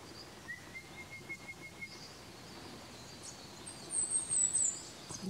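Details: Chestnut-crowned warbler (Phylloscopus castaniceps) in Neora Valley, West Bengal, India, March 2019: a faint, thin level whistle, then a quick burst of very high, sibilant notes near the end, over steady background hiss.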